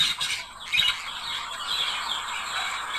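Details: Budgerigar couple, sound meant to encourage singing and mating: a few sharp squawks early, then softer, steadier high chatter and twittering that fades toward the end.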